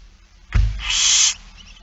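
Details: Feeding-time barn owl, 8 September 2019, afternoon: a dull thump followed at once by a loud, harsh, steady hiss of roughly three quarters of a second.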